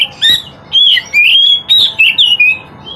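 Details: Oriental magpie-robin singing continuously: loud, clear whistled phrases, some rising and some falling, delivered in quick bursts of about half a second with brief gaps, over a faint background hum.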